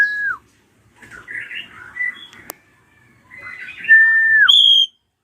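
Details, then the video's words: Ashy drongo screams, used to prompt young birds to sing: a short falling whistle, soft warbled chatter, then a long level whistle dropping at its end, followed by a brief high piercing note. "JERITAN SRIGUNTING KRANTIL RAJA"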